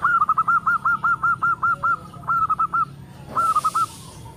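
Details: Local Indonesian zebra dove with a big voice and tightly spaced notes, singing to prompt other doves to answer: a fast run of about a dozen short, even, mid-pitched cooing notes, then shorter clipped bursts, over faint background hum.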